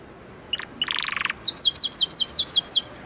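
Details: Canary song: a couple of sharp notes, a brief buzzy roll, then about nine clear descending whistled sweeps repeated several times a second.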